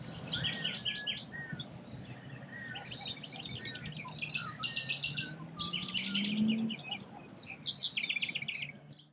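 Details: Dense Australian forest birdsong, many birds chirping, trilling and whistling at once in repeated quick phrases, with a low droning hum rising in pitch partway through beneath the chorus.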